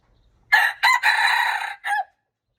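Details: Junglefowl recorded March 19, 2025, giving a loud crow in four parts: two short opening notes, a long harsh sustained middle note, and a brief clipped ending, all over a silent background.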